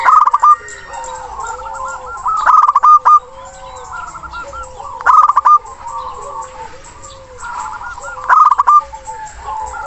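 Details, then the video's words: Zebra dove, a local bird with a big voice singing to call a rival: loud staccato cooing bursts followed by softer rolling trills, the phrase repeating about every two and a half to three seconds. "Perkutut Lokal Gacor Suara besar Nafas Tua memanggil Lawan"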